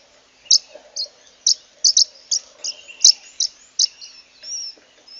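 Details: Zebra waxbill (Amandava subflava), an African cousin of the Brazilian common waxbill from Senegal and Nigeria savannas, flocks splitting into breeding pairs in warm months; song is a run of high, thin chips and tinny notes, two to three per second, ending in a brief buzzy trill.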